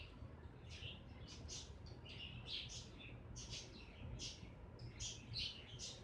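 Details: Two cockatiels eating parsley and kale from planter pots in a window garden give soft, scratchy chirps in quick irregular bursts over a low background hum.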